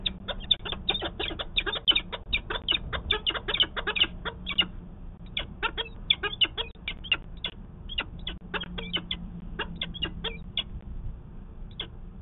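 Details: Excited peregrine falcon calling at the nest, Manchester, New Hampshire, 19 February 2020, recorded by a nest camera during a 'conference'. Dense bursts of rapid, harsh chattering notes break into shorter clusters, over a background hum.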